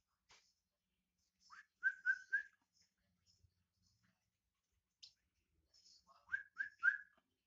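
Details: Black-naped oriole in active song, giving short mellow whistled notes in quick bursts of two or three, separated by pauses and brief high clicks.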